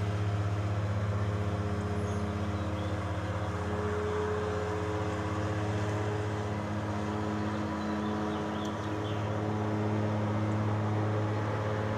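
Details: Steady engine or vehicle drone with low humming tones fills the recording, with no animal calls heard.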